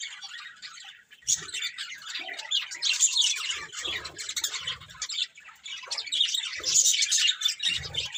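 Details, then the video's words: Colourful budgerigars chirping with harsh squawky notes: rapid, overlapping high chatter that swells toward the end, with occasional low knocks. "Beautiful Colourful Budgies Chirping Sounds"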